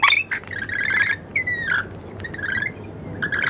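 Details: Lorikeets in Wollstonecraft. Harsh, screechy chattering calls with a few shrill, falling whistles come in short irregular bursts over faint low background noise.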